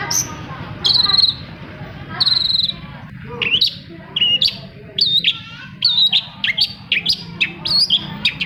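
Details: Long-tailed shrike song, played to coax silent shrikes into singing: a few drawn-out buzzy high notes at first, then a quickening run of varied sharp whistled and chipped notes, loud and clear over faint low hum.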